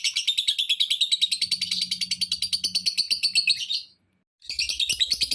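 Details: Lovebird giving a provoking call to make other lovebirds join in: fast, grating chirps repeated about three times a second, broken by a short silence before the chatter resumes.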